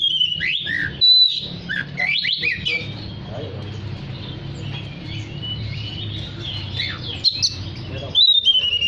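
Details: Singing oriental magpie-robin, used to call other magpie-robins: rapid bursts of varied chirps and whistles at the start and end, with a softer, scattered stretch of warbling between, over a persistent low hum.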